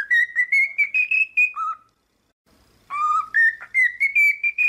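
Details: A male cockatiel singing in the morning after waking whistles a clear, tuneful phrase of rising and stepping notes, pausing briefly before repeating it.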